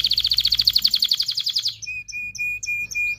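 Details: Canary singing to prompt mating in males and females: a rapid, even trill of bright repeated notes for nearly two seconds, followed by spaced clear whistles and short chirps.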